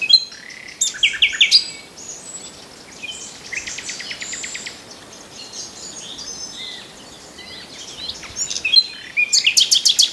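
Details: Common nightingale singing in separate bursts: loud chirps at the start, a mid-section of fast ticking trills, a quiet pause, then a final sequence of sharp repeated notes.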